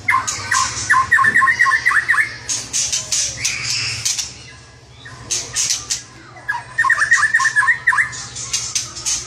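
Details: White-rumped shama singing energetically (gacor): two bouts of a fast rattling trill of bouncing notes, separated by harsh scratchy bursts and a short quieter gap midway.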